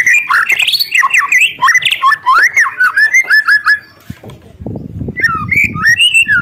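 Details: White-rumped shama singing hard to provoke rivals: fast tumbling whistled and warbled phrases sliding up and down, a brief pause filled with low rustling, then a fresh burst of rising and falling whistles.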